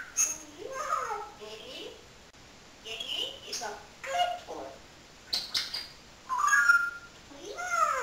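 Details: Talking pet parrot chattering in speech-like phrases, several bursts of voiced, human-sounding syllables with rising and falling inflections and a few high squeaky notes between pauses.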